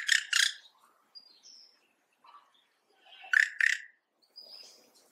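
A yellow-rumped cacique gives two harsh, rasping double notes about three seconds apart, with thin high whistles and softer gurgling notes in between.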